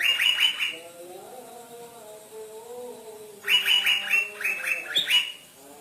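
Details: Actively singing Asian fairy-bluebird ('trotol' type), said to stir up greater green leafbirds: a short burst of quick bright chirps, a gap with a soft low droning hum, then a longer run of repeated sharp chirps.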